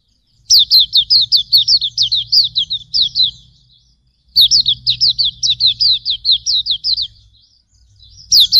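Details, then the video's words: Hume's white-eye, pleci auriventer, tutor song: two long bursts of rapid, high, descending chirps, each over a dozen notes, separated by a short silence, with a low rumbling background. "Masteran Suara Burung Pleci Auriventer"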